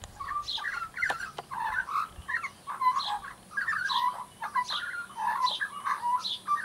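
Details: Young Australian magpie kept as a pet, practising its song: a rambling run of warbled, fluting notes mixed with harsher chortles and clicks, loud and varied with brief pauses, against a faint steady hum.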